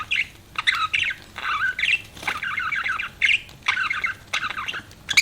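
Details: Budgerigars chirping: choppy phrases of scratchy, buzzy warbling and short squawks, separated by brief pauses.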